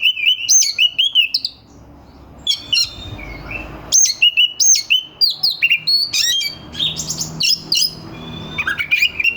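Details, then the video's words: Oriental magpie-robin delivering a dense, harsh lure song to provoke competing birds; rapid strings of whistles, chatters and sharp clicks, about four notes a second, with a brief pause near the start. "Suara kacer gacor NGEPLAY KONSLET pancingan kacer ampuh bikin lawan ikut EMOSI"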